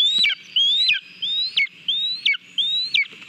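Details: A Lesser Spotted Eagle chick at a nest in Latvia, eating a mole on its own on 18 July 2022, gives high, thin whistled notes, each rising then snapping downward, repeated about every two-thirds of a second over faint hiss.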